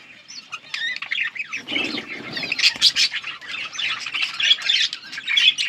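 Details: Several yellow budgerigars chattering together, a dense stream of scratchy warbles, squawks and short chirps mostly high-pitched, with a brief lower rasp midway and no other sounds.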